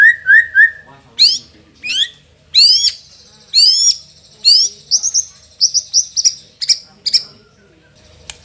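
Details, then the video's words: Indonesian white-rumped shama song with mimicked fill-ins of sogon, cricket, cungkok and lovebird: a few clear whistled notes, then loud rising sweeps, ringing high trilled phrases and quick repeated chips separated by short silences. "Isian Istimewa | Sogon_Jangkrik_Cungkok_Lovebird | Shama Bird INDONESIA"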